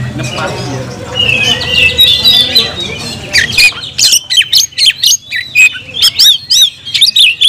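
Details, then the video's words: Oriental magpie-robin starting with a soft warbled subsong, then breaking into loud, evenly spaced bursts of sharp chattering notes in the second half, over a low hum. "kacer gacor nagen sampe leklok"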